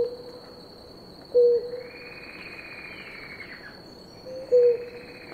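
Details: A pair of blue ground doves drinking water; two short, soft, low hooting notes about three seconds apart, with a faint sweeping bird call in between and a steady high insect whine throughout.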